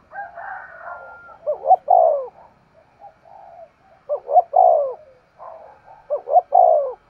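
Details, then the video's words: Decoy spotted dove giving an urging coo: three low, mellow cooing phrases about two seconds apart, each a short rising note followed by a longer falling coo, with a softer quavering murmur in between. "Tiếng chim cu mồi thúc gù"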